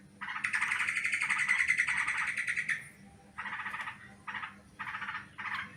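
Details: Sooty-headed bulbul lure sound for catching birds: one long rasping, churring chatter lasting over two seconds, followed by four shorter scratchy bursts spaced unevenly.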